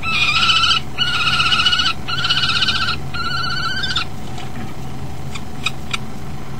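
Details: ['Male common kestrel at the nest, recorded by nest camera, calling his mate before she arrives. Four harsh, whining calls of nearly a second each come in quick succession, followed by hum and faint clicks.']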